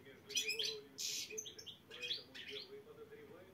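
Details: Competition black-headed goldfinch at Saint Petersburg qualifiers delivers quick high chirps, a harsh buzzy burst and rising tinkling notes, all over a constant low electrical hum.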